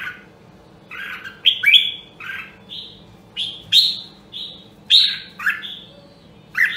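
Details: Red-whiskered bulbul of the rare Nam Đông, Huế strain singing for voice training: clear, separate whistled notes, some with upward flicks, delivered about once a second in a bouncy rhythm.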